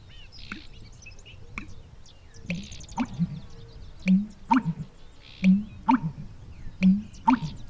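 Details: An American Bittern, a breeding bird of Newfoundland, gives deep, gulping, low-frequency pumper-lunk notes about every one and a half seconds; the male makes the call by gulping air into his esophagus. Faint higher chirps sound in the background.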